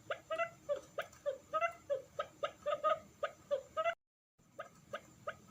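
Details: Forest quail call played as a lure for wild quail: a rapid series of soft, whimpering, slightly rising notes, about three per second, with a brief silent gap near the end.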